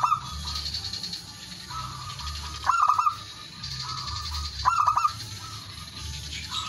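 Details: Male zebra dove cooing to call rivals, used to lure birds: two bursts of quick, stuttering, mid-pitched coos about two seconds apart, set against steady broadband hiss and low rumble.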